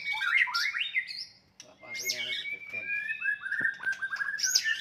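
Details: White-rumped shama fighting song, used to provoke rivals and raise their aggression: varied whistled phrases with rising and falling slurs, a long steady whistle, and a brief gap midway through.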